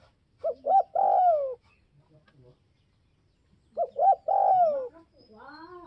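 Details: A spotted dove calling to provoke rivals gives two phrases, each of two short coos and a long descending coo, with soft, wavering coos heard faintly at the end.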